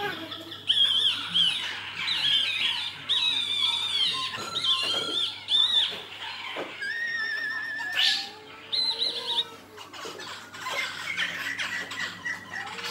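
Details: Black-throated laughingthrush fighting song, a busy run of high, rapid chattering and whistled notes in bursts, then longer sliding whistles and pauses.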